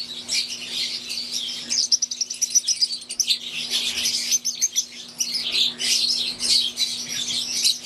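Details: An aviary group of Fischer's lovebirds, green wild type and Euwing, keeps up rapid, shrill chirping with quick ticking notes and overlapping chatter throughout, above a constant low electrical hum.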